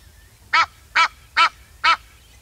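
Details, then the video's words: Four loud, raspy honks from an Egyptian goose, evenly spaced about half a second apart, each a short buzzy burst; quiet low rumble between them. "Egyptian Goose Call"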